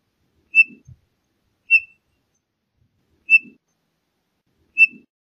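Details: Townsend's solitaire giving a single clear, short whistled note, repeated four times at intervals of roughly one to one and a half seconds, with silence between.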